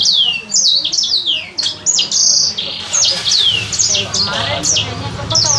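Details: Sanger bird kept in captivity for three months, learning its sounds: a rapid string of high, sharp whistled notes that mostly slide downward, some buzzy, delivered in quick bursts with brief pauses, with a low steady hum underneath.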